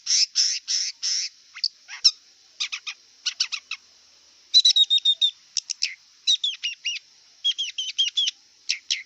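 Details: Wild long-tailed shrike song opening with harsh grating bursts, then mimic-like sequences of clear whistled notes and sharp chips in quick repeated groups.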